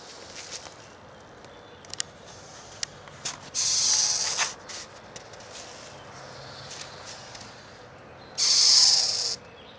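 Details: Screech owl from a nesting family in a yard in northeastern Pennsylvania (NEPA): two loud, harsh, breathy hisses, each about a second long, about five seconds apart, over quiet rural background with faint clicks and rustles.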